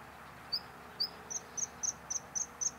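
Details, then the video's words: Bluethroat song fragment: eight thin, high, piercing notes, the first two spaced apart, the rest repeated rapidly at an even pace, over a faint low hum. "Голос варакушки-близкой родственницы соловья. Bluethroat is singing"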